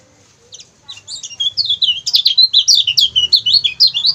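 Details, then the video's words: Training recording of a lemon-bellied white-eye for tutoring other songbirds: fast, excited, high-pitched chattering song of short sweeping chips, about three per second, rising in loudness after a quiet start. "CIAK CIAK GACOR KECIAL KUNING"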